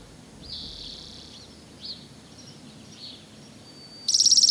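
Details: Spotted towhee on Lummi Island, Washington: a drawn-out high buzzy note and two soft chips, then a loud, very fast dry trill breaks in at the end. Quiet background otherwise.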